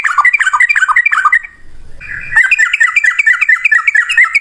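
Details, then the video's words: Yellow-vented bulbul giving a fast, dense chatter of bright bubbly whistles, briefly stopping for a moment of low rustling before the quick liquid notes burst back in. "Burung trucukan gacor ropel 1 nafas panjang"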